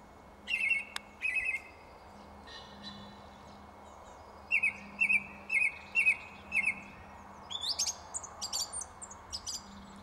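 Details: Song thrush singing from a tree, delivering varied phrases: a sharp double note given twice, then a run of five repeated bright chipping notes, followed by higher, shriller squeaky figures; quiet steady background hum.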